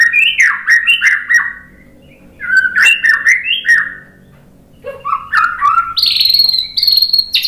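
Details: A white-rumped shama's song serves as a lure to get other birds singing. Short whistled phrases with dropping slurs and clicks come in two bouts separated by a quiet gap, ending with higher, steady whistled notes.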